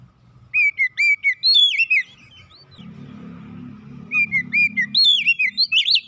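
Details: Home-kept Oriental magpie-robin song used to lure other caged magpie-robins into singing. Clear whistled notes, some sliding and some looping, come in two rapid bursts separated by a pause filled with a low hum.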